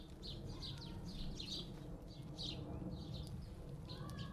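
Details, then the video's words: At a garden feeder, squabbling house sparrows produce clipped, high chirps in quick pairs and clusters, with gaps of silence between bursts, over a low rumbling background. "The house sparrows squabbling on the garden bird feeder again"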